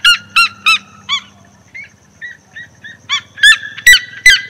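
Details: Red-legged seriema in the sertão of Bahia, Brazil, recorded by the road from a car: loud, harsh yelping notes in quick bursts, fading to softer yelps then swelling again, over a faint engine-like hum.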